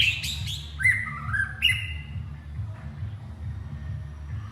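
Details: White-rumped shama calling its partner: a few sharp clicks and a short burst of whistled notes in the first two seconds, then quiet with only a low hum.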